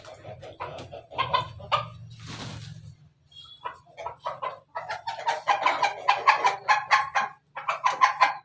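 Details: Rapid staccato laughing crow of a Pelung chicken, broken in the first seconds by a burst of hissing noise and a low hum, then swelling into a steady run of quick, clipped syllables.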